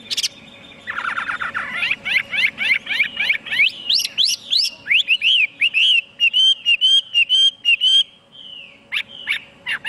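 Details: Chinese hwamei song opening with quick, steep rising sweeps, then settling into a run of clear, looping whistled notes. It ends with a few sharp separate notes.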